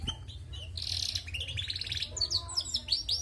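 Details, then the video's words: Female canary in full voice: a buzzy trilled phrase, then a rapid rattling run, followed by sharp high chirps repeated several times per second over a low hum. "Bunyi Burung Kenari Betina gacor"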